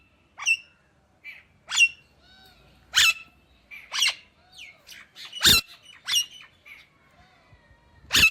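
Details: Indian ringneck parakeet chattering in a varied series of sharp chirps, whistled slurs and harsh squawks, uneven in rhythm, with a few sudden loud screeches among softer twittering notes.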